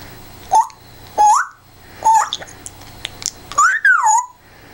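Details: A pet African grey parrot playfully gives clear whistled notes near mid pitch, some rising and some swooping up then down, about six phrases spaced roughly a second apart, with short clicks between.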